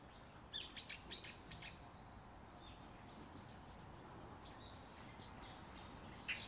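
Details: Black-billed magpies in Korea, resident birds picking up fallen dogwood fruit from the ground; a few harsh, rasping chatter notes in a quick burst near the start, then fainter calls in the background, with steady outdoor noise.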